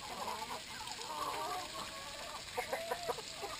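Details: Group of Brahma chickens at water making soft tonal clucks, then a quick run of sharper, evenly spaced notes near the end.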